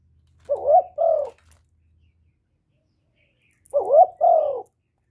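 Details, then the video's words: Kept decoy spotted dove cooing continuously to lure wild doves; two clear, low, mellow coo phrases about three and a half seconds apart, each a wavering rising note followed by a smooth falling note, in a quiet setting. "CU GÁY LIÊN TỤC KÍCH BỔI RẤT HIỆU QUẢ"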